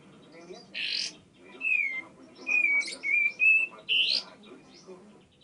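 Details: A tame bar-winged prinia sings energetically, mixing short buzzy bursts with thin whistled notes that slide downward, about six phrases separated by brief gaps.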